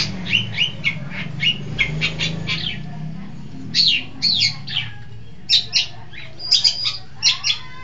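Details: Long-tailed shrike from East Java singing actively: bursts of rasping, chattering notes in irregular clusters separated by brief gaps, over a low steady hum.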